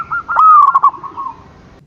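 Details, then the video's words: Morning call of a zebra dove, one quick stuttering coo phrase: a short note, then a rolling run of soft, mellow coos that fade out, over a faint low hum. "Pancingan suara burung perkutut gacor | zebra dove still calling every morning"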